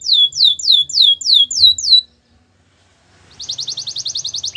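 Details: Gloster canary song opening with six loud downslurred whistled notes, one about every third of a second, a brief pause, then a fast, even, high-pitched rattling trill.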